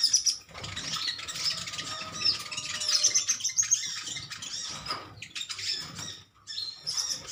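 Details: A colony of metallic green sunbirds chirps back and forth at each other. Dense, high, thin twittering notes overlap almost without pause, with brief sharp squeaks and a short lull near the sixth second.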